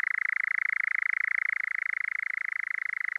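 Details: Male European Nightjar churring on heathland in the evening as the sun goes down: a continuous, steady mechanical trill of very rapid pulses, unbroken through the whole stretch, with no other sounds.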